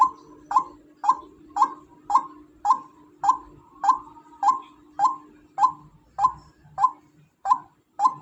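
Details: Female white-breasted waterhen calling: a steady series of short, harsh, croaking notes, about two per second, each with a sharp onset and quick fade, over a faint low hum.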